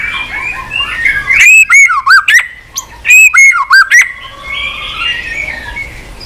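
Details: White-rumped shama singing in a cage, tail-flicking as it is stimulated. Two loud bursts of sharp chips and looping whistles stand out over a steady background hiss with soft murmuring warbles.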